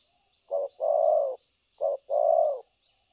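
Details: Spotted dove used as a trapping decoy, 3 December 2022, giving two thổ cấn sấm nước coo pairs, each a short note and then a long hollow coo, over faint high chirping from another bird.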